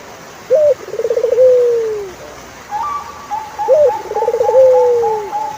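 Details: Turtle dove gives two phrases, each a sharp hooked note, a fast vibrating trill and a slow falling coo. A higher, evenly spaced whistled series sounds between and after them.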